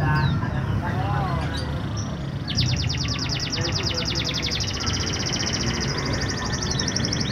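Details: Canary song used as a lure to stimulate reluctant canaries to sing: after a quiet, noisy start, a fast, even, high trill of rapidly repeated notes runs steadily for about five seconds over low background hum.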